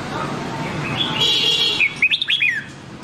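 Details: Red-whiskered bulbul song in the Nam Đông style, used for voice training of white-cheeked bulbuls: a quick warbled phrase of four or five rising and falling whistled notes, following a stretch of broad hiss.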